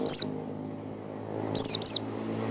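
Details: Oriental white-eye calling in the ngecal style while learning ngalas song, used to lure other white-eyes into opening their beaks: one thin, high, down-slurred whistle, then two more in quick succession after a pause, over faint low hum.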